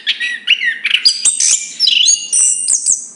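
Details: Chestnut-capped thrush (Zoothera interpres) singing a fast, varied phrase of high whistled notes and sweeping slurs, jumping between registers with quick clicks and trills, continuous over three seconds.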